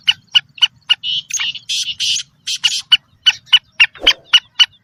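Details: Black francolin hen calling to excite males: rapid clipped ticking notes, roughly four each second, broken in the middle by a few longer, harsher buzzy notes, with faint low background noise.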